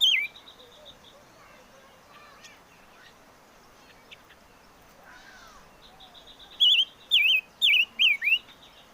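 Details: Bird called chim ngũ sắc in Vietnamese, heard first as faint scattered notes among background noise, then a run of five sharp, zigzagging whistled phrases repeated about every half second near the end.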